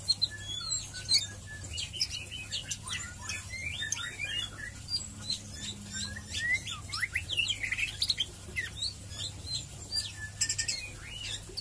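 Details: White-rumped shama ngeriwik and ngeplong song as a fast lure: long continuous stream of rapid, jumbled chirps and twittering notes at fairly low volume, with steady background hum.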